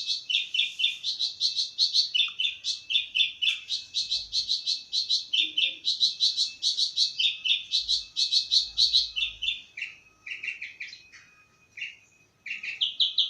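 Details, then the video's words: Rapid chattering bush lark song, notes alternating between two pitches in a quick rocking rhythm, fading into sparse lower notes near the end before resuming. "Burung Branjangan"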